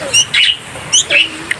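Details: A hungry hand-reared bulbul chick, four days in care, flapping its wings while being fed at 8 am on a rainy morning: shrill, high squeaky chirps in two quick bursts about a second apart, with a faint background hiss.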